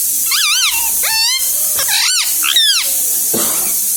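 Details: Talking pet parrot, encouraged to say "mummy" and "mithu mithu", produces a rapid run of five warbling, speech-like syllables with bending pitch within three seconds, against constant background hiss.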